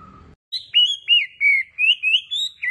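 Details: Wambi bird in full, melodious song: a brief low murmur, then a loud chain of clear whistled slurs, each note swooping down and up, about five phrases in two seconds.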